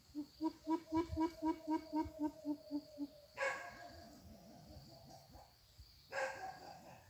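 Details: Young greater coucal kept as a trapping decoy to draw in wild birds: a quick sequence of about twelve low hooting notes over three seconds, followed by sharp knocks and handling noises.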